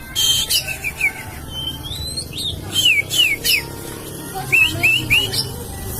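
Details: Oriental magpie-robin singing, meant to provoke a listening magpie-robin into answering. Clear whistled upslurred and wavering notes come in short repeated groups of two or three, over a steady low hum.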